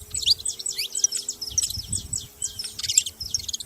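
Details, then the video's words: Canário da terra (Saffron finch) producing blurred, high, buzzy chirp clusters in short groups, with a steady low hum and rumbling noise underneath. "Canário da terra fazendo barulho"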